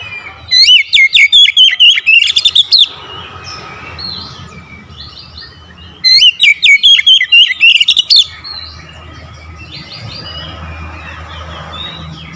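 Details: Oriental magpie-robin in gacor mode, singing hard after a single lure despite its lazy habit: two rich bursts of quick, sharply slurred whistled notes about five seconds apart, with faint background chatter of other birds.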